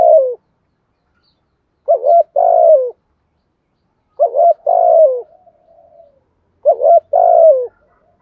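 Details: Caged spotted dove kept as a songbird, cooing in the Thổ Thúc Gù style: low, mellow phrases of a short double coo followed by a longer drawn-out coo, repeated about every two and a half seconds in a quiet setting.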